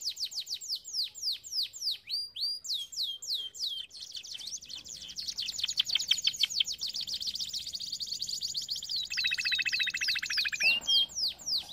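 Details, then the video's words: Training song of a canary: sharp downward-sweeping notes repeated rapidly, then a long dense rolling trill with a lower buzzy layer, ending in a short whistled note. "Most powerful song for training Canary"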